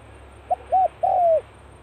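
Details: Single low coo phrase from a Spotted dove practising as the cold season starts: a quick pip, a smooth arched note, then a longer note easing downward, with a faint low hum beneath.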